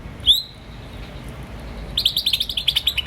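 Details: Green starling giving a single sharp upswept chirp, then after a pause a rapid run of about ten bright, buzzy pulsed notes with faint background hiss.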